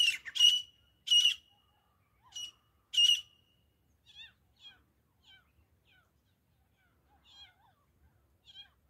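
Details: Grey francolin, known locally as desi teetar, in a hunting recording: four loud, grating, broadband notes in the first three seconds, then quieter, thin, curved chirps scattered through the remainder.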